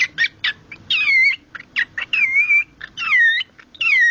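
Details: A male cockatiel reacts to cloth held out to him, a smelly sock, by mixing short clipped chirps with long warbling whistles that slide downward, repeated several times in quick succession.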